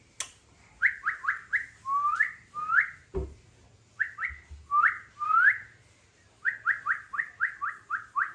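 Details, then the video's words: Pet rainbow lorikeet whistles in quick bursts of short upward-sliding notes, three to seven in a row, with a few longer swooping whistles and brief pauses between groups. "Lorikeet Parrot Sound"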